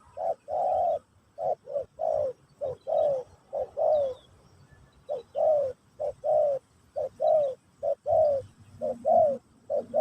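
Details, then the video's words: Spotted dove in Pesom/Kacuk style, used for a new bird's teaching session: rapid series of short, slightly falling low coos, grouped in twos and threes, continuing steadily with brief breaks. "Burung Terkukur Pesom/Kacuk...Sesi Mengajar Burung Baru"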